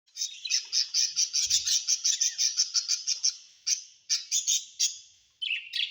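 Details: Pet budgerigars kept at home: a fast run of bright, raspy chirps repeated about three times a second, broken by short pauses and ending in a few scratchy notes.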